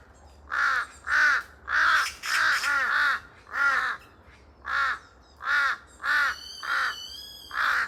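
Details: Noisy calling from a pair of large-billed crows in a forest, cries echoing. Around twelve harsh caws, some doubled and overlapping early on, later evenly spaced; a thin high whistling tone appears near the end.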